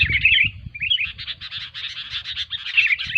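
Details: Sooty-headed bulbul calling noisily, for use in luring and training its kind: a dense run of bubbly, chattering notes repeated without pause, with faint low rumbling beneath.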